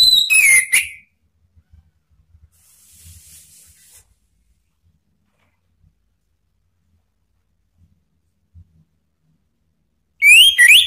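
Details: Male orange-headed thrush gives two bursts of loud, rich whistled song, quick tumbling phrases sliding up and down, separated by about nine seconds of near silence with a faint hiss.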